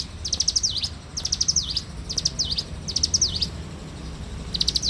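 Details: Bar-winged prinia in the morning, singing repeated high, rapid trilled phrases that each close with a quick swooping dip, given about once a second in a steady series against a soft low background.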